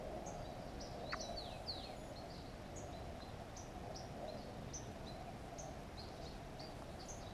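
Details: Song thrush (Turdus philomelos) at its nest in a hollow, 10 June 2015: thin, high chirps and short downslurred notes, one or two every half second, faint against a steady rushing background noise.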